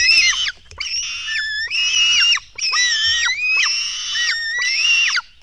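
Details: Black stork nestlings at a Latvian nest, begging while being fed at dawn, 04:53 on 24 June 2016: harsh, screaming, harmonic-rich calls in six long bursts of about half a second to a second, with short gaps between them.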